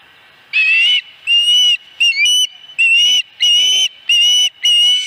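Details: An osprey at the nest at Dunrovin Ranch on 26 August 2020, with the fourth fish, gives seven loud, strident whistles in quick succession, some rougher and broken, about one every 0.6 seconds.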